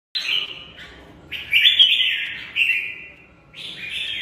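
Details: Red-whiskered bulbul singing in a fighting contest: three bright, warbled whistled phrases, each about a second long, separated by short pauses, rich and slurred with quick up-and-down inflections.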